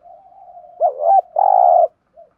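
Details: Thúc gù cooing of a spotted dove, a style used to lure wild doves and train decoys: a soft, steady low hum, then a short hooting coo and a longer, buzzy, vibrating coo, ending with a faint brief note.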